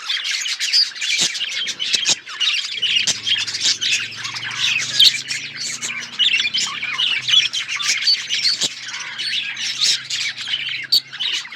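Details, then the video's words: Many budgerigars chattering, overlapping chirps and harsh squawks, with a faint low hum running under the middle part and occasional sharp clicks. "Budgies parrot beautiful colour budgies chirping sounds"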